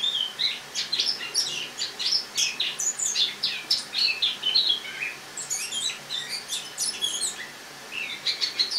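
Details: Autumn warbling of a caged Eurasian blackcap indoors, 1 October 2017, morning; a lively run of jumbled high notes, a brief pause near the middle, then renewed squeaky twittering phrases.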